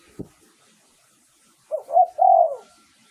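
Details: Lure song of a spotted dove from Thailand, used to draw in wild doves: one soft click, then silence, then a single phrase of two short hoots and a long, slightly falling coo.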